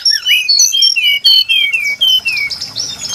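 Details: Brown-chested jungle flycatcher song used as a trapping lure: a quick string of clear whistled notes, some sliding down and others rising, at a bright high pitch, with short gaps between phrases.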